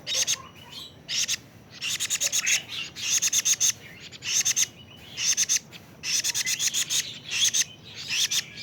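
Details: A 41-day-old plaintive cuckoo repeats grating, buzzy bursts. Each burst is a quick run of rasping pulses, and the bursts come at irregular intervals of roughly a second over a quiet background.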